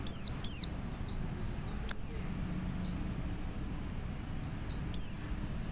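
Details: Rapid, high-pitched, sliding-down chirps from a male white-eye calling to others, with softer echoing notes in between, fairly close together throughout.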